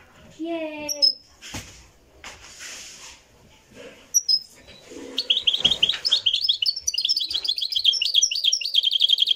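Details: Moroccan goldfinch of the Marrakchi singing tradition, live recording: after a stretch of human speech, a rapid, high, twittering run of tinkling notes and buzzy trills starts and carries to the end.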